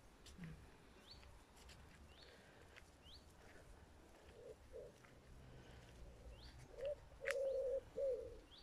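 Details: Dove cooing on a walk outdoors under blue sky with clouds, with cars passing in the distance: low, hollow coos, then a quick run of three at the end, over thin high chirps from small birds and a soft outdoor hush.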